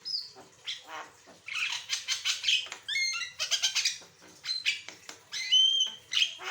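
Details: Asian pied starling, a lively song-rich bird, used to prompt other birds to sing: a varied stream of harsh rasping notes, clear whistles and chattering bursts, with short pauses between phrases.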